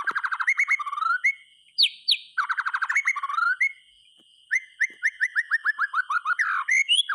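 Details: Caged white-rumped shama in strong song, played to lure quiet shamas into singing: fast rattling bursts of repeated notes, bright high upslurred whistles, then a descending series of clear slurred notes, with a faint steady high tone throughout.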